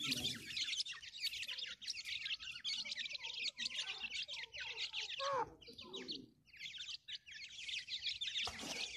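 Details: Grey francolin chicks at feeding time give a busy mass of high, squeaky chirps overlapping without pause, broken by a brief quieter gap and a few louder, lower squawks near the middle.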